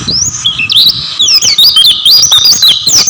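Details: Oriental white-eye in energetic song, a fast tumbling stream of high, thin whistled notes sliding up and down without pause, with faint rustling behind.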